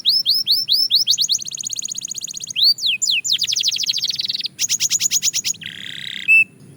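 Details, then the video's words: Belgian canary in singing practice delivering a varied song: repeated falling whistles, a fast high trill, arched notes, then pulsed bursts and a short buzzy phrase ending in a single sharp note. "Shocking Canary Singing Progress – You’ve Never Heard This Before!"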